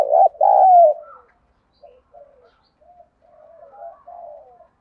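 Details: Spotted dove, 'đồng thổ' style urging coo for stimulating a decoy dove: opens with a loud, rolling two-part coo, followed by several soft, low murmured notes.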